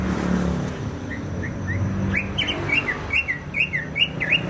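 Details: Greater green leafbird from Banyuwangi, East Java: a few faint whistles, then a lively stretch of rapid repeated slurred whistled notes, with steady low traffic rumble underneath.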